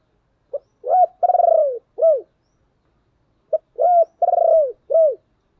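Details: Spotted dove calling to draw in other doves: two matching phrases about three seconds apart, each a short clipped note, a hollow coo, a longer vibrating rolled coo and a final falling coo, mid-pitched and clean with no other sounds.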